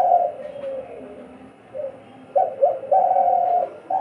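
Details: Two captive decoy doves in a calling duel, one starting as the other stops, give low, hollow cooing notes in short bursts that swell into a longer run.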